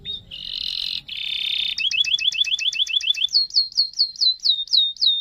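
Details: Canary in full song, a long rolling performance meant to prompt other canaries to sing: a brief high note, then a dense buzzing roll, then rapid repeated slurred notes at about four per second, ending in downslurred whistles.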